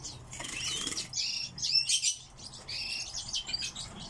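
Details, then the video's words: Captive song thrush singing a quick run of high, scratchy twittering phrases broken by a few clear, sharp whistled notes. "Певчий дрозд"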